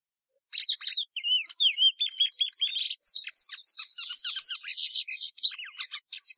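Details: Plumbeous seedeater (Sporophila plumbea) singing a fast, varied twittering song. Sweet whistled slurs and buzzy notes, some rising and some falling, pour out almost continuously at high pitch after a brief silent start, with no other sounds.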